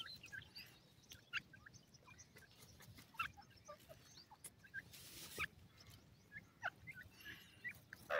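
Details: Feeding and playing grey francolin chicks in Pakistan: soft high peeps and short chirps repeated unevenly by several young, interrupted by brief scuffling noise bursts and a loud chirp at the end.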